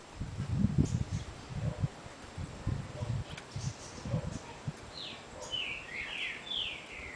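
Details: A blue ultramarine grosbeak gives a brief, sweet warbled phrase of slurred, falling whistles near the end, after several seconds of low rumbling and handling noise.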